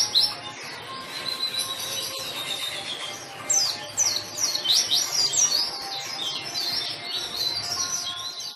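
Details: White-eye in vigorous, nonstop song, used as a lure and tutor recording to prompt silent white-eyes to sing: high, rapid twittering phrases with sharp down-slurred chirps, loudest in bursts after the midpoint, over a faint steady hum.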